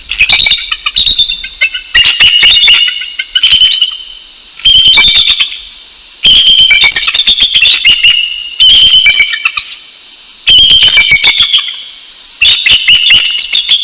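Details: Male and female bald eagles in Northeast Florida duet at 6:48 AM on 12 January 2019, proclaiming their nest territory: loud piping chatter delivered in about seven bursts roughly every two seconds, each a fast run of shrill notes.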